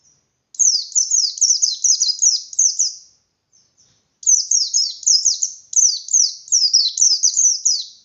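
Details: Pleci, a white-eye, in eager 'ngalas' song that prompts other white-eyes to respond and sing harder: two long, continuous streams of quick, high, descending chirps split by a short gap.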